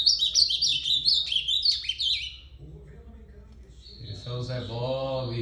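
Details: Sweet, downward-stepping warbled phrase from an ultramarine grosbeak lasting over two seconds, followed by quiet and then a man's voice speaking over a faint high tone.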